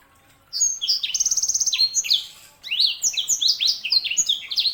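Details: A sanger, canary hybrid, opens with a rapid even trill, then after a short break runs into a loud string of sweeping whistled notes.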